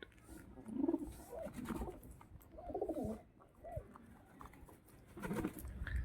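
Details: Pigeon giving repeated low, rolling coos in a small room, several bursts spaced about a second apart, with light handling noise in the background.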